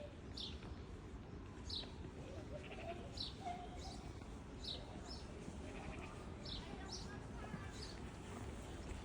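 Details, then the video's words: Green parrots give short, sharp descending squawks, about one per second, some of them paired, over a steady low rumble of wind or traffic. "Green parrots are here again!"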